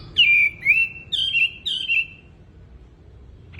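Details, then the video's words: Wambi bird gives three loud, slurred whistles that fall and then level off, followed by a pause of near quiet and the start of another note at the end. "BURUNG WAMBI GACOR"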